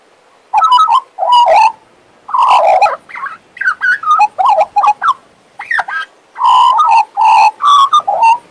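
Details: Warbling from a pet male Western Australian magpie: a dense run of mellow, yodelling notes and quick chortles, with loud rich phrases at the start and end and softer rapid notes between.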